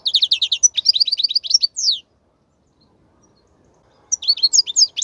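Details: European goldfinch song for teaching fledglings: tumbling, lively twitters and a descending slurred note, about two seconds of silence, then a fresh burst of quick jingling notes.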